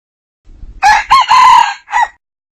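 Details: Red junglefowl cock crowing, from a 2019 decoy recording used for hunting; quiet low clucks, then a loud, rich, harmonic crow broken into three syllables with a drawn-out middle and a short falling tail, in clean silence.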